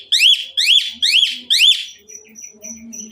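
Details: Asian pied myna in full, lively song rich in fill-in phrases, used to prompt other mynas to sing: four loud, rising-then-falling whistled notes about half a second apart, followed by softer thin whistles and low murmurs.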